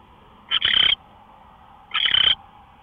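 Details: Owl recorded at 5:27 AM on 24 March 2013 giving two drawn-out, rasping hiss-screeches, each close to half a second long and separated by about one and a half seconds, faint hum underneath.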